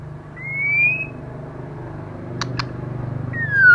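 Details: Female white-rumped shama in heavy moult, singing intensely: one long rising whistle, two sharp clicks, then a falling whistle, all above a loud droning hum.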